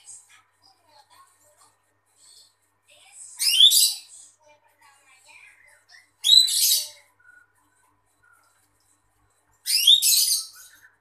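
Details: Female greater green leafbird singing in three bursts of high, rapid, chattering notes spaced about three seconds apart, with faint scattered chirps between bursts in an otherwise quiet setting.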